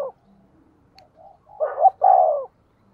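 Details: Decoy spotted dove used for luring wild birds gives one brief, low phrase: a short rising double note followed by a sustained mellow coo, after faint murmurs.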